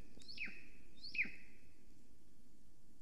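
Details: Female Golden Eagle calling on arrival at her nest, filmed by a live nest camera in Estonia at 9:53 am on 13 July 2020. Two high yelping notes, each sliding sharply downward, sound about a second apart over a low background hum.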